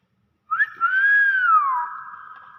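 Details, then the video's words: Common hill myna giving its natural voice: one loud, pure whistle that rises sharply, swells, then slides down into a long steady tone, lasting over a second. "BURUNG BEO SUARA ASLI"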